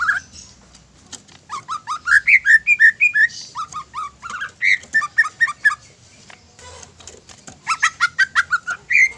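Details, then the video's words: Provoking song of a greater green leafbird, meant to excite other leafbirds. Rapid, chattering series of short whistled notes, some rising and some falling, come in bursts separated by brief pauses. "PANCINGAN INI BIKIN CUCAK IJO LAIN TERPANCING EMOSI DAN GACOR"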